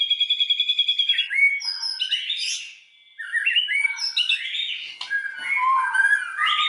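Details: White-rumped shama song played as a provoking lure for other shamas; opens with a rapid repeated trill, then a rich medley of slurred whistles and rising and falling notes with a brief pause midway.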